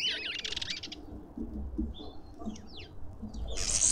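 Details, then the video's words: Lovebirds visiting a suburban garden feeder in Pretoria, South Africa: a harsh, wavering squawk opens, then a few thin whistled notes and sliding chirps, and another rasping burst at the end over low rumble. "Lovebirds endlessly"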